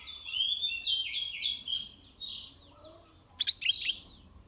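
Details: Red-eyed bulbul, described as a decoy bird, giving a run of clear, slurred whistled notes at mid-high pitch, then a pause and a short burst of quick rising and falling chirps near the end.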